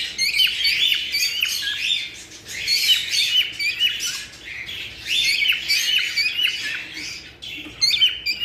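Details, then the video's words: Cockatiel chorus meant to stimulate mating: continuous shrill chirping and squeaky whistled notes, several voices overlapping, in loud waves broken by brief softer spells. "تحفيز طيور الكوكتيل على التزاوج"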